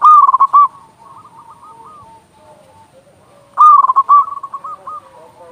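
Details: Local zebra dove with a big voice for stimulating silent doves: a quick stuttering burst of coos fading into softer spaced notes, a lull with distant cooing, then another loud rapid burst.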